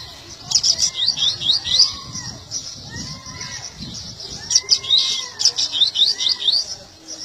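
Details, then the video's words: Seedeater giving repeated bursts of quick, high, sharply rising chirps, two phrases a few seconds apart, over other birds' looping whistles and low noise. "biquinho tui tui de mais"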